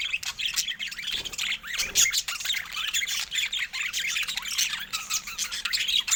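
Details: Pet budgerigars of several colour varieties produce a dense chorus of quick chirps, squawks and warbled trills, loudness pulsing up and down without a break.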